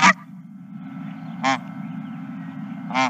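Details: Geese at a ranch on 31 March 2023, three separate nasal honks spaced over three seconds against a continuous low rumbling background.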